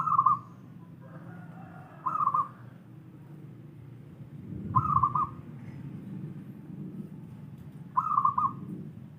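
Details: Local wild zebra dove song: four brief phrases of quick, bubbling, stuttered coos, each around half a second, repeated roughly every two to three seconds against a constant low rumble.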